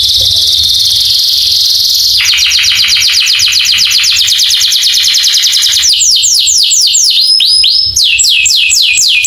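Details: Canary song meant to spur other canaries into singing: a high buzzy hum gives way to a long fast trill of tiny repeated notes, then slower, louder downslurred whistles about four per second.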